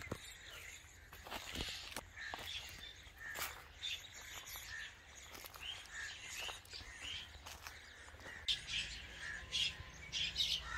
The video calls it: Little Mynah Baby Bird Making Noises